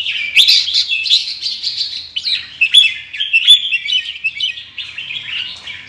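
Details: Indonesian red-whiskered bulbul with large red cheek patches, singing in the chattering 'ché' style with soft fanning display: a continuous, rapid stream of bright warbled and whistled notes with sharp clicks, almost no pauses.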